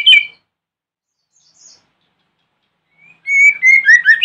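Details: White-rumped shama morning song meant to make rival shamas answer: a brief chirped burst, near silence for about three seconds, then a sustained whistle leading into fast rising whistled notes.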